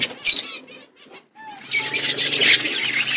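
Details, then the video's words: Winter-feeding budgerigar flock in Asia: a few isolated squeaky chirps and a short whistle, then a burst of dense high chatter with a faint low hum. "Beautiful budgies flocks Budgies parrots winter foods"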